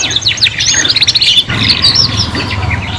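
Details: Young canaries singing together as they learn: quick, buzzy high trills and twittered notes in two dense bursts split by a brief break, with a low hum beneath.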